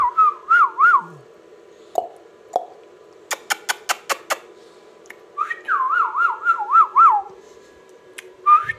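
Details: Pet ringneck parrot whistling two wavy tonal phrases, each a string of quick rising and falling swoops, separated by a run of five sharp clicking taps indoors.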